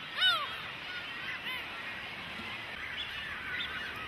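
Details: Cormorant chicks demanding food from parents; one loud, sharp descending squeal opens, followed by fainter scattered arched calls over a steady chorus of other chicks.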